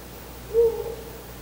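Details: Male Ural owl visiting its nest before dawn on 4 August 2020 gives a single low, hollow hoot, brief and soft against a steady low hum.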